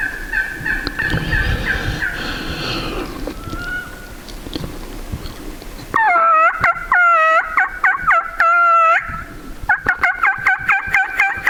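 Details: A tom wild turkey in spring on Idaho public land gobbles while coming in to the hunters' hen calling. Hoarse calling and softer notes give way to two loud bursts of rapid, gurgling gobble rattles in the second half.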